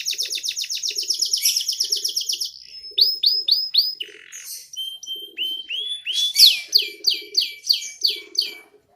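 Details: Song of a young canary tutored with ciblek (bar-winged prinia) phrases: a fast high trill, then a series of separate rising-and-falling whistled notes and slurs, ending in loud repeated downswept whistles, with a soft low pulsing sound behind.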